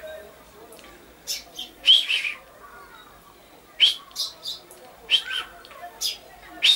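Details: Common chaffinch (Fringilla coelebs), recorded 22 August 2013, gives short, bright, high-pitched chirping notes in loose, unevenly spaced clusters, about ten over seven seconds, against a quiet background.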